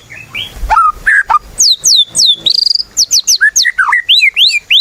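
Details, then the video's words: White-rumped shama singing actively, recorded as a lure to prompt other shamas to sing: a varied run of clear whistled notes, some rising and some falling, then quick high slurred whistles delivered in rapid succession. "Murai Batu Gacor | AMPUH buat PANCINGAN Murai Batu Agar Bunyi"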